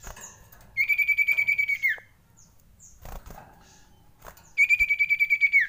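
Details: Frightened common iora: two long, even, fast-pulsed whistled trills about four seconds apart, each ending in a downward slide, with brief soft notes and a click between them.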